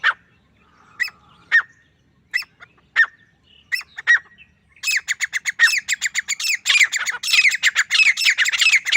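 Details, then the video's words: A lone male grey francolin gives harsh, clipped notes, first spaced about half a second apart, then speeding into a loud, rapid rattling series of squawky calls. "Akely Nar Teetar ki Saaf or Full Sound | Awaz Only Male Partridge Sound | Grey Francolin Voice"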